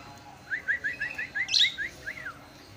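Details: Javan myna in full song, part of a bird-tutoring recording: a faint, quick run of about ten short upslurred chirps at an even pace, with one brighter, higher note near the middle, over quiet background hiss.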